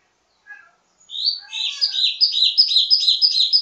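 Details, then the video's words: Wambi mini ledekan (teasing) song, a varied training song for birds of the same kind: a few soft notes, then rapid rising-and-falling high chirps repeated about three times a second. "Ledekan Wambi mini Full Gacor Banyak Vareasi"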